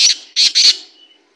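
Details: Black francolin calling: three harsh, grating, high-pitched notes in quick succession, the last two closely paired, fading into a brief echo; otherwise quiet.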